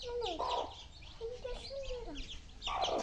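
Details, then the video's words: Young chickens eating, with a chorus of high, quick peeps in the background, mid-pitched gliding notes, and two louder, harsher clucking bursts at the start and end. "Baby Chicken Eating Time - Funny Chicken Sound"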